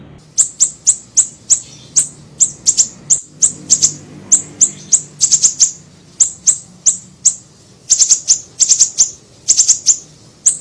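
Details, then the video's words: Small siri-siri bird in a lure recording: long run of sharp, high, downslurred chirps, sometimes doubled or tripled in quick bursts, steady over a faint low hum. "PANCINGAN PIKAT SUARA BURUNG SIRI SIRI KECIL"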